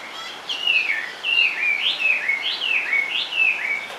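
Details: Caged Chinese hwamei in full song: a series of loud looping whistled phrases, each rising then dropping, repeated roughly every half second with clear melodic tone.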